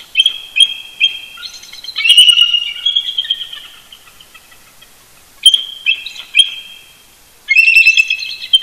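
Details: A mated pair of eagles duetting early morning on 18 November 2018, roosting close to their Big Bear Lake, California nest; three separate bursts of high, rapid chittering and piping chirps with quiet gaps between.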